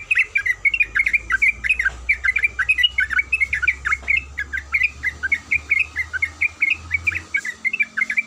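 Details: Sooty-headed bulbul female calling a male in a loud, unbroken stream of quick bright chirps and slurred notes, with a steady low hum in the background.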